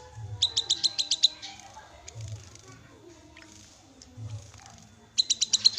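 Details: Black-capped babbler giving short bursts of rapid, sharp, high notes, six or so per burst, separated by several seconds of quieter rustling and a low background hum.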